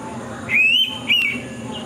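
Indian pitta giving two clear whistled notes, the first rising and drawn out, the second shorter and dropping, over a quiet low background hum.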